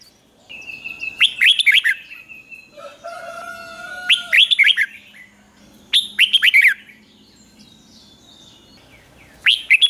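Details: Morning song practice of a caged red-whiskered bulbul: short bursts of sharp, tumbling whistled notes every couple of seconds, alongside long, level pure tones and a faint hum.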